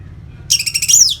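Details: Captive orange-headed thrush (Geokichla citrina) gives a brief, bright burst of high, rapid notes ending in a clear downward-slurring whistle, under a second long; a "ngeplong" call used to stimulate breeding arousal in other birds.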